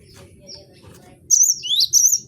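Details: Cinereous tit (gelatik batu) on a bird-training recording. After a quiet stretch of low background noise, one short, loud burst of high whistled phrases with a rising sweep is heard.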